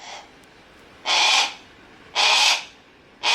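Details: Captive Harris's hawk at Kakegawa Kachoen bird park, Japan, calling actively: harsh, rasping screeches about half a second long, repeated roughly once a second with quiet gaps between.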